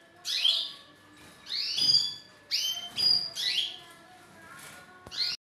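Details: Courting male canary singing to a female to stimulate mating posture, delivering spaced bursts of high rising whistles and brief trills.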